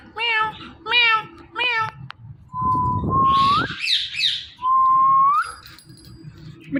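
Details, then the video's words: Talking parrot indoors gives three nasal, meow-like calls, then a long rising whistle over a rough rustling noise, some chatter, and another rising whistle. "Talking Parrot Natural Sounds Compilation"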